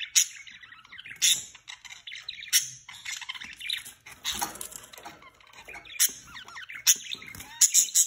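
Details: A budgerigar pair mating for the first time, with rapid, scratchy warbles, sharp chirps and bursts of high clicks.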